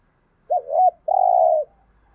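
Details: Spotted dove calling to stimulate other doves: a short looping double note followed by a sustained low coo of about half a second, with a faint low rumble underneath.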